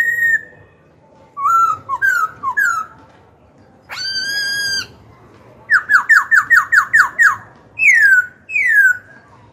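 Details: Black-throated laughingthrush song meant to stir rival birds to fight and coach young birds: a short whistle, paired slurred notes, one long harsh note, then a fast run of seven falling whistles and two downslurred calls.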